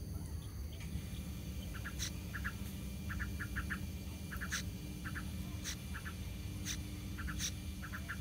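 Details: Fledging yellow-vented bulbul chicks moving around the nest rim while the parents continue feeding them; thin paired chirps repeated roughly every half second in a steady series, with occasional sharp clicks and a constant low rumble underneath.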